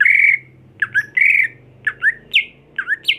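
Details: Home-kept greater green leafbird being conditioned for contest singing. Bright, slightly squawky whistled phrases repeat about every half second, some dipping and rising, one jumping higher, over a soft low indoor hum.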